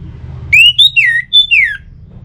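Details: Song of the orange-headed thrush used as a lure to make kept birds sing: five loud, pure whistled slurs in quick succession, some rising, others dropping steeply, over faint background hum.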